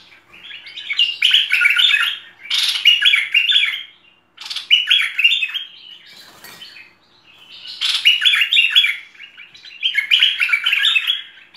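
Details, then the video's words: Tutor recording of a bulbul (merbah lekir) in full song: lively chattering warble phrases, about four bursts separated by brief near-silent breaks. "Masteran Merbah Lekir Full Isian"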